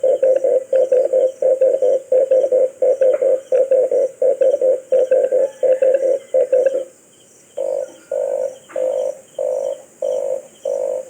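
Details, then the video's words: Red collared dove calling with a long, fast series of identical low hollow notes, a short pause, then slower evenly spaced repeats; a steady high hiss in the background. "Sounds of a red collared dove"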